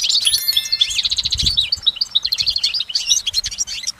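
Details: Goldfinch singing in nature, a long unbroken stream of bright, high twittering notes with rapid trills and buzzy slurs, plus one soft low thump midway.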